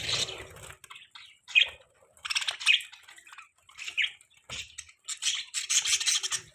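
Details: Morning chatter from budgies, with sharp squeaky chirps and buzzy warbling phrases spaced by short silences, ending in a denser run of twittering.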